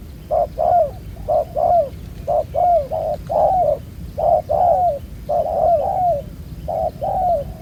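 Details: A wild black-collared spotted dove lured by a ground decoy and praised for its cooing gives soft, mellow, slightly falling coos in quick paired and tripled phrases, repeated steadily about once per second.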